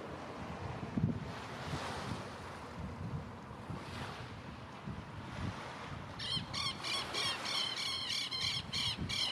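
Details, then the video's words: Magellanic penguin (Spheniscus magellanicus) giving a harsh, braying run of rapid pulsed notes near the end, over steady wind and surf. "Magellanic Penguin"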